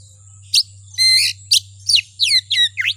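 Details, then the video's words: Lure song of a kacer, the Oriental magpie-robin, used to excite another kacer into singing: a short sharp note, a buzzy rich phrase, then several quick down-slurred whistles ending in a deep V-shaped swoop, over a low constant hum. "Suara Pancingan Kacer Agar Cepat Emosi Gacor ! Pancingan Paling Ampuh Buat Menaikan Emosi Kacer"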